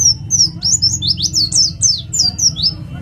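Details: Rapid 'nembak' delivery from an East Java white-eye used as a song lure: about a dozen sharp, high, downslurred chips in quick succession over a low hum.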